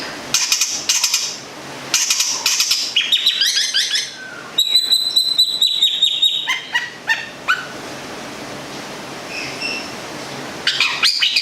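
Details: Kept Long-tailed shrike of local Gedong Songo stock, Central Java, in full varied song: scratchy chattering bursts, a stretch of bright repeated high ringing notes, then scattered faint chirps.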